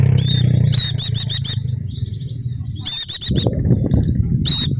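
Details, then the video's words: White-eye of the Javan dakun type, used as a lure to make silent caged birds sing: runs of four or five very high, ringing notes in quick succession, thin warbles between, and low rumbling noise underneath. "pleci macet akan ikut bunyi dengar pancingan ini | pleci dakun jawa"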